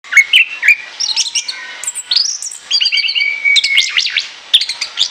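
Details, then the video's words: Orange-headed thrush song intended as a lure: varied, rapid phrases of sweet whistles, slurred rising and falling notes and brief chatter, densely delivered with little pause. "ANIS KEMBANG NGOCEH NGEPLOOONG, SIAP JADIKAN PIKATAN"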